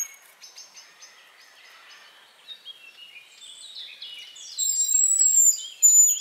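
Hazel grouse giving very high, thin, drawn-out whistles that grow louder near the end, over faint softer chirps and light background noise.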